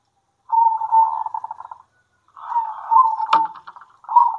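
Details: Zebra doves of a local strain singing at midday, answering one another: two long rolling, stuttering coo phrases with a single sharp click between them.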